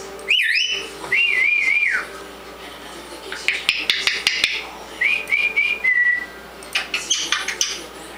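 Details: Pet African grey parrot chattering indoors: rising and wavering whistles, a warbling whistled phrase, then bursts of rapid clicking chatter and short squeaky notes.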